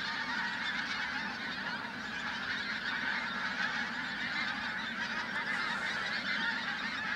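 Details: Flock of pink-footed geese at Flitcham on 5 January 2017: a dense, unbroken chorus of overlapping nasal honks from many birds, steady in volume throughout with no pauses.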